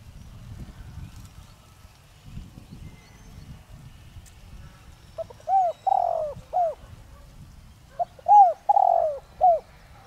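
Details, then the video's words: Decoy spotted dove of the 'giọng đồng rặc' voice style, used to stir other doves to call. After a few seconds of low rumbling background, two mellow cooing phrases follow: soft short notes framing a drawn-out, burry central coo. "Chim cu gáy Giọng Đồng Rặc kích bổi nhanh nổi/cu gáy mồi cây kích bổi nhanh gáy"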